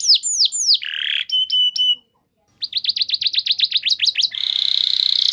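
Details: Canary song played as a lure for training singing: high descending slurred whistles and short buzzy notes, a brief pause, then a fast run of sharp sweeps breaking into a long rolling trill.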